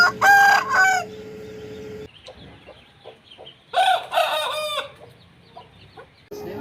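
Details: Aseel rooster giving two loud, harsh crows, each about a second long with rich harmonics, separated by a quieter stretch with faint knocks.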